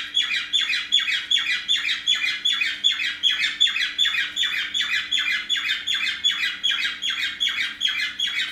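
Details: Pet parrot indoors in the morning, home from the vet with a bandaged broken wing, with companion birds attending it: steady, rhythmic chirping calls repeated about two to three times a second, with a faint low hum underneath.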